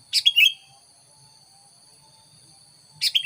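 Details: Sooty-headed bulbul lure song for attracting curious wild bulbuls: two short bursts of bright, chirpy, downslurred notes at the start and end, separated by near silence, over a faint steady high-pitched hum.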